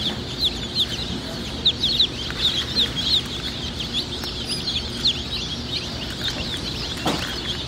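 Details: Several Easter Egger chicks give high, sharp peeps in quick irregular bursts, about three per second, each a brief downward-slurred chirp, with a low steady hum underneath and one soft thump near the end.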